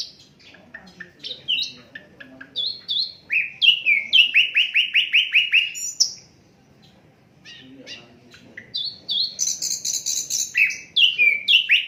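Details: Asian brown flycatcher singing in an unedited recording meant for tutoring songbirds: varied chirps and slurred notes, then a long rapid rattle of downslurred notes, a short pause, and very high bright whistles returning to quick chirped series.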